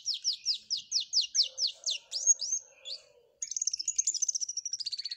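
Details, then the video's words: Flowerpecker in full song with canary-style phrases: about ten sharp repeated downslurred chirps, a thin high whistle, a brief gap, then a fast even high trill that steps down at the end. "Burung Cabe Cabean Gacor isian Kenari"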